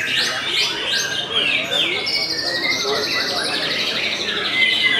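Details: White-rumped shama of the murai batu Belanda kind, singing steadily. It opens with rising whistled phrases, then shifts into a long, rapid, buzzy trill held high, ending with a clear whistle, with faint talk behind.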